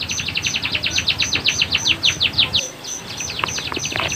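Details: Canary song used as a tutor recording to teach young canaries or get silent ones singing, a long rolling style; rapid run of sharp descending chirps, about eight per second, for two and a half seconds, then scattered short notes over a steady high pulsing tone and low hum.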